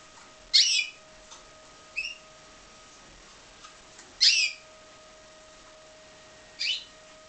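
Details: Pied Timbrado canary raised in captivity, calling with four spaced, high, harsh chirps separated by pauses of one to two seconds, plus a softer thin note, over a quiet electrical hum.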